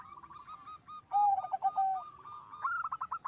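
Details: Zebra dove singing hard, a voice said to draw other zebra doves into song: soft short coos, then a loud low wavering whistle, and a fast rising stutter of notes at the end.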